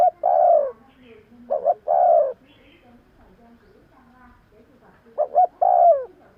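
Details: Spotted dove calling to attract other doves: the end of a long croo, then two complete phrases of a double coo plus a long falling note, separated by a quiet gap.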